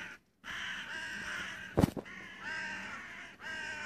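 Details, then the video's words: Crow, 25 June 2017, calling in one nearly continuous harsh, hoarse caw lasting over three seconds, broken by a brief gap near the start and a loud knock in the middle. "Ворона. The crow."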